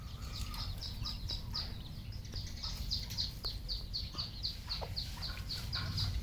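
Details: Many penned red junglefowl; high, downslurred peeps repeat about three or four times a second over steady low hum, with occasional clucks.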